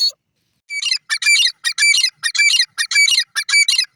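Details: Teetar francolin at feeding time, from a breeding setup; loud, harsh, grating notes in rapid clustered bursts with bright high overtones, about two bursts per second.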